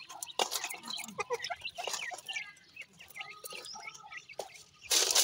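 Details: Grey francolin chicks in captivity giving short, scattered chirps and brief rising peeps, mixed with sharp clicks and loud broadband rustling bursts, with a hiss at the end.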